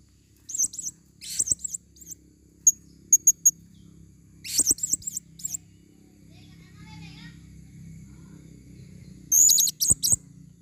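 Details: A female Blue-crowned hanging parrot, lured in forest, gives very high, thin, squeaky chirps in quick bursts of two to five notes, with pauses between groups over a faint low hum.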